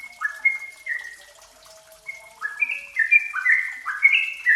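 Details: Yellow-vented bulbul song played as a lure to get an untrained caged bird singing quickly; long whistled notes at first, then bubbly, slurred phrases tumbling downward in quick succession, with a faint hiss behind.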